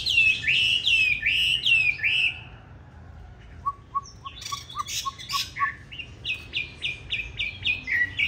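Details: Chinese hwamei of the green-bean-eye variety in fighting song, a model for training hwamei to sing smoothly: repeated descending slurs, a pause, a string of soft low notes, then repeated high whistled phrases.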